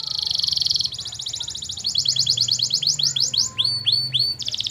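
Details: Canary in a long master recording meant to get other canaries answering. A buzzy rapid roll, then trills of downswept notes, ending in spaced upswept whistles, with low background hum throughout.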